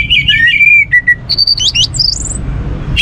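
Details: Orange-headed thrush song meant to get other birds singing: a falling series of clear whistles, then higher, sharper notes climbing to thin squeaks, ending with a fresh whistled note.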